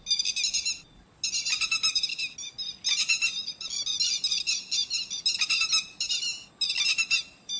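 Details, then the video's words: Grey-headed lapwing calling, as used to lure birds into nets at night; loud, high, grating chatter delivered in irregular bursts of quick repeated notes, each volley lasting about a second with brief gaps. "Tiếng chim te te vàng mồi cực chuẩn mới nhật không tạp âm, Tiếng chim bẫy lưới đêm"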